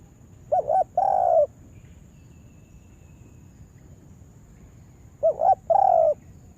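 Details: Spotted dove kept as a lure bird for trapping, cooing: a short double note then a longer rolling coo, the phrase repeated after about four seconds; quiet background with faint hiss.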